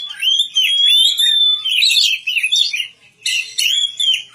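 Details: Kacer or Oriental magpie-robin in village keeping, singing a long sliding whistle followed by twittering, scratchy notes, a short silence, then more whistled phrases.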